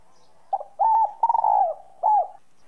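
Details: Spotted dove in the 'giọng son' style, played to get other doves cooing; a faint lead note, a rising coo, a long stuttering croon sliding down, and a last falling coo, low and hollow.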